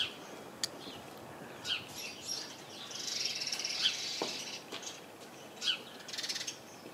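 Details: House sparrows in a crowded bush give a buzzy chattering run midway, between isolated sharp chirps and a few clicks.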